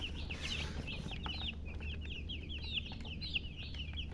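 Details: Baby chicks chirping steadily: a dense run of short, high, down-slurred peeps overlapping one another across the whole stretch, over a constant low hum.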